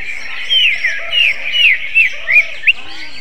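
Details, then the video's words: Greater green leafbird singing like a kacer: a series of arched whistled slurs, each rising then falling, repeated at uneven intervals and ending with a short sharp upward flick. "CUCAK IJO RASA KACER"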